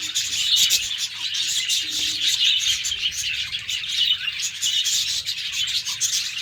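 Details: Caged pet budgies in the morning form a steady chorus of bright, overlapping twittering and chirping. The sound stays thick and unbroken, with brief louder squeaky notes rising out of the mix.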